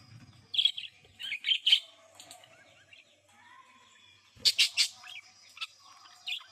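Budgerigar chirping in quick bright bursts, a cluster early and another dense flurry near the end, with softer warbling chatter between.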